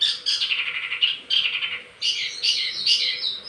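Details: Wambi mini singing as lure and master audio for tledekan birds: scratchy rapid warbling phrases in short bursts.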